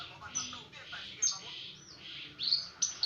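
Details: Brenjangan song for training songbirds: high chirps and short whistled notes rising and falling, ending with sharp loud peeps.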